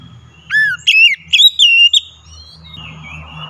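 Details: Oriental magpie-robin song played as a lure to get reluctant birds singing: a short run of loud, sweet whistled notes, rising then slurring down, over a faint low hum.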